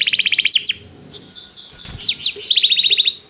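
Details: Canary singing during song training, calling another canary to sing; a quick chirping trill opens, followed by softer slurred swoops and scattered notes, then a bright fast trill of repeated notes returns.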